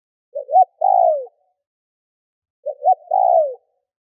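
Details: Spotted dove used as a decoy, cooing to lure wild birds: a pair of identical phrases, quick two-note pickup then a long sagging coo, repeated after roughly two seconds of silence.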